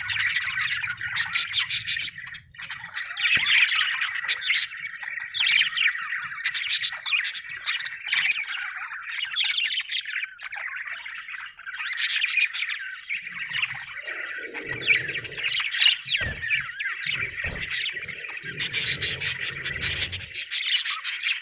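A budgerigar chirps and warbles without pause in a busy stream of bright, scratchy notes.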